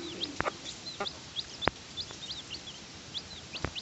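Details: Domestic chickens, a mother hen feeding her chicks: a steady chorus of high, thin peeps that flick up and down, overlapping through the clip, broken by a few sharp clicks and taps.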